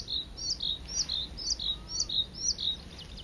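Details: Bluethroat at Saint Etienne de Montluc, France, April 2017, singing a rapid series of high, ringing looped double notes repeated about twice a second, clear and close above faint low background hum.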